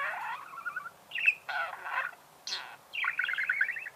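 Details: Budgerigar song of scratchy, creaking warbles and chirps: a nasal buzzy phrase, a short squeak, harsh rasps, then a fast rippling chatter at the end.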